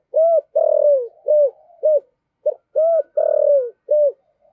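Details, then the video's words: A spotted dove of the deep-voiced "giọng thổ" type, used as a decoy bird, coos soft, hollow, low notes, short ones mixed with longer downward-slurring ones, in two repeated phrases, with no other sounds. "Chim Cu Mồi/ cu gay giong tho cuc dinh"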